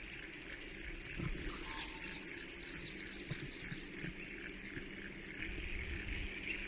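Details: Superb fairywren from Australia with its ultra fast, very high song likened to a laser or sci-fi sound effect: dense, shimmering trills pour out almost continuously, briefly thinning before resuming strongly near the end.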